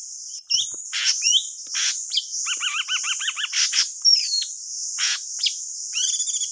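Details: Lure song of the thanh tước bird for trapping: scattered chirps and rasping bursts, a fast series of about eight looping repeated notes midway, and a descending whistle, with a continuous shrill insect-like background.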